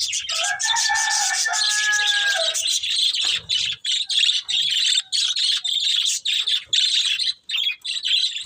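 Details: Budgerigar breeding pair chattering; a few clear whistled tones open the clip, then a constant buzzy high warble of scratchy chirps continues to the end.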